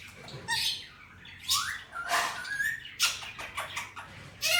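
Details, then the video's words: Talking male Indian ringneck, kept indoors, voicing Hindi-Urdu words: raspy syllables with a rising whistled slide, then a burst of quick scratchy sounds and a final loud clipped note. "Talking parrot real voice, and saying Mitthu bete || Miya Mithu"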